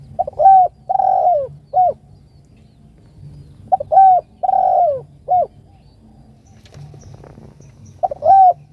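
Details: Spotted dove calling to a companion, repeating a three-part cooing phrase about every four seconds: a quick note, a longer downslurred coo and a short closing coo, with faint background rumble.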